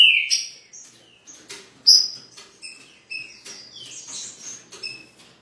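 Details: A new Green-winged saltator, described as still weak, in Rio de Janeiro, Brazil, gives short, high whistled notes and thin chirps in loose, irregular bursts about every second or two, with faint background rustle.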